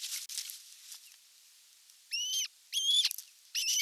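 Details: Osprey on a camera-watched nest at evening feeding time, 30 June 2022: after rustling noise, three clear high whistled calls, each held briefly with a level, slightly wavering tone.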